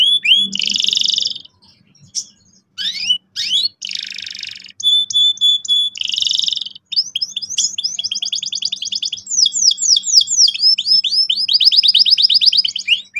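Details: Canary singing energetically as a training lure for young canaries: buzzy bursts and scattered whistles give way to long, fast trills of repeated downslurred notes at high pitch.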